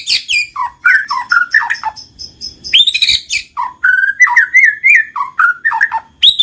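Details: White-rumped shama song played to get a lazy bird singing: a continuous stream of clear, varied whistled notes sliding up and down, some with rapid trills, delivered in a quick, rhythmic flow.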